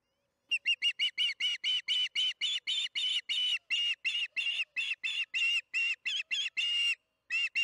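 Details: Osprey calling at the Charlo nest during evening feeding, 8:15 pm MDT, June 21, 2019: nearly thirty rapid, shrill whistled chirps pour out over seven seconds, followed by a brief silence and a final pair.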